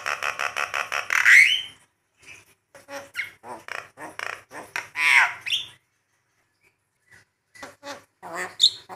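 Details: Javan myna, tutor and lure recording for training birds: a rapid run of harsh repeated notes, then a loud rasping sweep, scattered squawks, a pause and another harsh grating burst, with chattering notes at the end.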